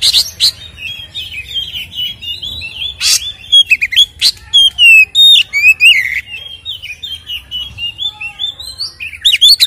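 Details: White-rumped shama, a lure song meant to provoke captive birds into fighting mood; varied whistled phrases around the upper-middle pitch, mixed with rapid buzzy notes and chattering bursts, loud and continuous throughout.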